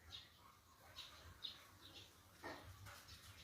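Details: Birds chirp in nature at Ningthoukhong, Manipur, giving brief high, sharp notes roughly every half second, with a louder broadband rustle midway and a constant low hum underneath.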